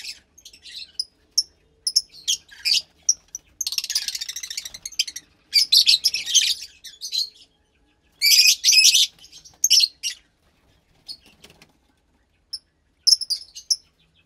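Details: Captive Fischer's lovebird chick about 15 days old, bred from a lutino and a pastel blue Fischer pair, giving harsh buzzy high-pitched chirps in short rasping bursts with pauses, louder raspy stretches around four, six and nine seconds.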